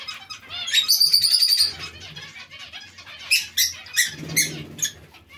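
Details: Colony of zebra finches kept alongside Bengalese finches. A rapid string of bright, nasal beeps runs for about a second, followed by scattered sharp chirps and overlapping calls over a faint low rumble.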